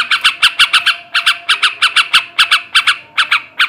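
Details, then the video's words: Male sooty-headed bulbul singing to stimulate breeding: a fast series of short, harsh, chattering notes repeated in quick bursts of three to five, steady and loud throughout. "kicau suara burung trucukan jantan ngebrem ngekek garuda ini ampuh menaikkan birahi trucukan bahan"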